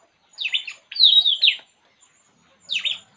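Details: A relaxing puling bird sings bright high warbled phrases: two quick slurred notes, then a longer rolling descending whistle, a pause, and one more slurred phrase near the end, on a quiet background.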